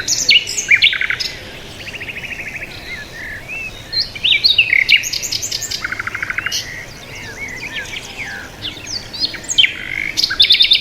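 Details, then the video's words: Birds chatter over a quiet outdoor background. Rapid buzzy rattles alternate with bright chirps and short rising whistles that recur throughout. "Birds Sound | bird chirping sound | Peaceful Bird Sound"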